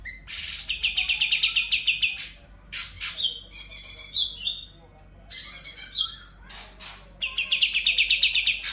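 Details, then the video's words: Sooty-headed bulbul singing nonstop (ngebren), its song filled with imitations of konin, kapas tembak and kunti: rapid runs of sharp chirps about three per second, broken by harsh rasping bursts and short whistled notes. "Cucak Cungkok Full Ngebren Isian Konin Kapas Tembak Kunti"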